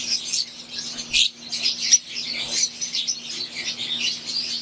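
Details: Wild-type green Fischer's lovebirds in an aviary chatter nonstop with shrill, high chirps and squeaks in overlapping bursts, over a faint steady low hum.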